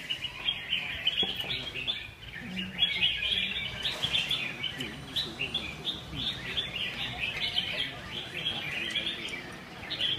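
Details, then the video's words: Several caged Red-whiskered Bulbuls at a Huong Son singing contest on a sunny morning sing together in a dense, overlapping chorus of bright, chattering whistled phrases, with faint human voices underneath. "Chào Mào Hót Đấu"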